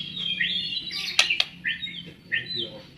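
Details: White-rumped shama song played as a lure for other shamas: softer rising whistled phrases repeated a few times, with sharp clicks and a faint low hum.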